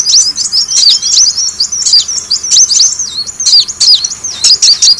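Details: Van Hasselt's sunbird, locally kolibri wulung or kolibri daun, in a lure recording: a steady chatter of piercing high chirps with sweeping downstrokes, running almost without pause.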